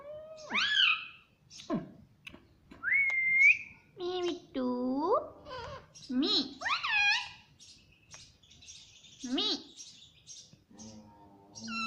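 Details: Pet parrot repeatedly saying "mummy" indoors: a quick series of speech-like swooping syllables, high whistled rises and short clicks, with brief pauses between bursts.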